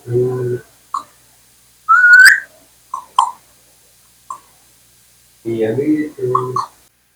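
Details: Talking pet Indian parrot (mithu) giving short speech-like phrases with a low voiced tone, a rising whistle and a few brief chirps, spaced over several seconds.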